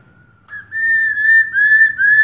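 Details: Female black-throated laughingthrush in captivity, calling to stimulate males to sing; a continuous run of clear, steady-pitched whistles with slight waver, faint low hum beneath.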